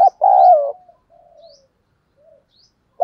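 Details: Cooing of a spotted dove used as a decoy for luring wild birds, giọng thổ sấm voice: one loud, long, slightly falling coo, then fainter trailing notes and a brief start of the next coo.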